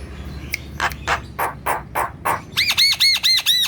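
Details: Javan myna in gacor, or full-song, form, played to coax lazy kept mynas into singing: six rough, scratchy notes, then a quick series of bright, arched, metallic-sounding notes repeated rapidly.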